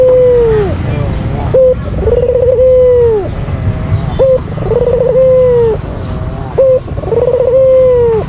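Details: White albino Barbary dove calling to provoke a rival bird: a short flat note, a rolling trill, then a long sustained coo that drops at its end. The phrase repeats about every two and a half seconds over a steady high whine.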